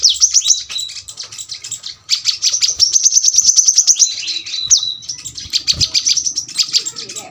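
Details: Rapid, shrill twittering song of a brown-throated sunbird in the dense 'tembakan rapat' style for tutoring birds at home, with long strings of quick high chips, slurred sweeping notes and a few brief breaks.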